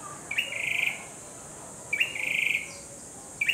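A Grey-backed Tailorbird sings short phrases about every 1.6 seconds: a quick upward note, then a rapid, rattling series of high notes, over a steady high hiss.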